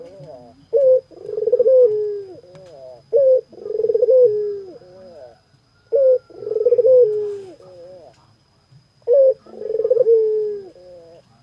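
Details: Barbary dove in full voice, giving four rhythmic phrases. Each has a quick clipped note, then a long vibrating coo that falls away, ending in a few faint softer notes. A low hum sits underneath.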